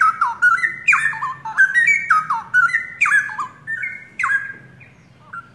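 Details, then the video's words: Caged young pair of straw-headed bulbuls of forest origin in full, active song: about seven loud warbled phrases in quick succession, each opening with a sharp high note and sliding down into mellow whistles. "Cucak Rowo Pasangan Muda Hutan...Gacor..."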